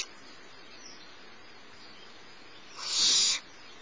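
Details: Youngest barn owl chick being fed by the adult female at Starr Ranch mid-morning, giving a single loud rasping hiss-screech lasting about half a second after a quiet stretch.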